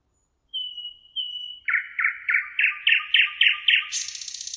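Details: Thrush nightingale singing by the Emajõgi river in Tartu, Estonia, on 1 June 2018: two thin level whistles, then a run of eight loud clicking chock notes at a steady quick pace, ending in a high buzzy rattle.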